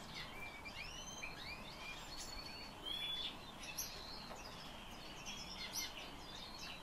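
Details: Song of a Black lark kept by bird keepers: thin whistled glides, rising and falling slurs and brief chirps in irregular sequence, fairly quiet against constant environmental hiss.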